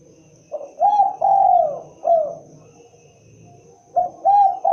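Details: Spotted dove producing a full cooing phrase that ends in a falling note, then starting another phrase after a pause. The coos are low, soft and mellow, with steady faint hum behind.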